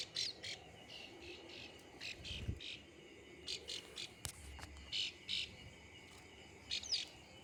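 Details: Plain prinia in rice fields: short, sharp high chirps in quick clusters, repeated through the stretch over a low rural background rumble.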